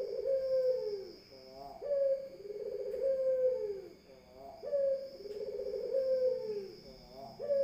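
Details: Rolling, gurgling coos from a Barbary dove, each a brief rising note and then a drawn-out throaty purr. They come in quick succession, with a constant thin tonal hum behind.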